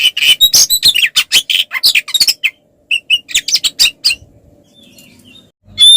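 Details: Oriental magpie-robin giving a 'ngeplong' fighting song meant to provoke other males: a quick burst of harsh chirps and short whistles for about four seconds, a near-silent gap, then a sudden loud whistled phrase at the end.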